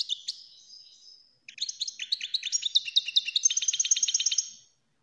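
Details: European greenfinch (Chloris chloris) song: a brief high twitter, a pause, then fast bright trills and chirps rolling on for about three seconds, all high-pitched; used to stimulate other birds to sing and breed.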